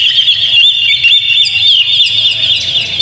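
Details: Short burst of Oriental magpie-robin song for luring a caged bird, quick high whistles and twittering notes over a faint low hum.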